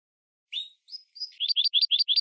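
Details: Goldfinch crossed with a red canary, its song meant to tutor other birds: a few thin drawn-out whistles, then a brisk string of bright, evenly spaced double-toned chirps.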